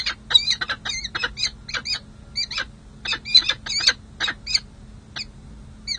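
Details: Peregrine falcons in a lengthy bonding session on a San Jose city hall ledge, July 2024, after breeding: a run of sharp, hoarse chup notes, quick at first, then more widely spaced.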